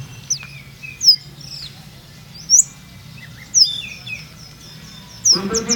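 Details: Olive-backed sunbird from Purworejo, its song called melodious and rhythmic with rolling 'ngeroll' and 'nembak' shots: thin, very high, sharply falling whistled notes spaced about a second apart, with short lower twitters between and a rustling burst near the end.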